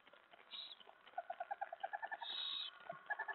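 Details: Owl at a 2:07 AM feeding on 25 July 2017, mouse delivered: a rapid string of soft, chittering notes about eight per second runs between two rasping hisses, with more twittering at the end.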